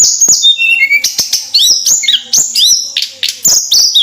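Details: Nonstop flowerpecker song: dense string of very high, sharp chirps and downward-slurring squeaky notes, about a dozen quick phrases packed closely together.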